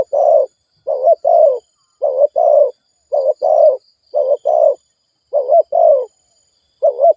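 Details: Spotted dove giving fast cooing meant to stimulate decoy birds: short paired coos, low and mellow, repeated in quick bursts roughly every half second to second with brief gaps, no other sounds.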